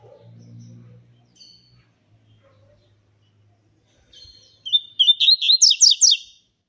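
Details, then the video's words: Seedeater warming up: faint low murmur and scattered soft sounds, then after a pause a fast run of sharp, sweeping whistled notes, about nine in quick succession, closing the stretch. "COLEIRO FALCONE ESQUENTANDO"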